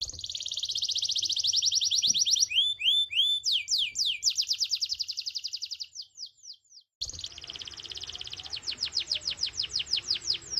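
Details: Canary in full-power song, used as a stimulus track to prompt other canaries to sing: fast rapid trills of repeated notes, then a series of sweeping slurred whistles, a brief break, and another buzzy rolling trill.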